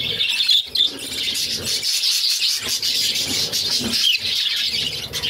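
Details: Budgerigar chicks, six young pets, begging as the mother feeds them; sharp short squeaks over a hoarse, hissing chatter that breaks off briefly twice.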